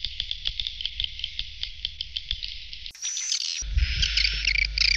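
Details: Edible-nest swiftlet lure sound for swiftlet houses, said to hold young birds: rapid high chirps and clicks repeating several times a second, then an abrupt switch to a denser, brighter twittering with a low rumble underneath.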